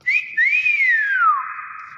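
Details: A single long whistle from a Nias hill myna, briefly rising, then sweeping slowly downward for over a second before settling into a steady trailing tone.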